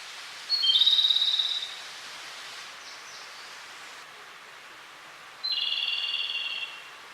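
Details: Wild Japanese robin singing energetically from a song post beside a small lake on the way to Lake Kussharo, Hokkaido, Japan. Two phrases about five seconds apart, each a high rapid rattling trill lasting just over a second, over a quiet airy background.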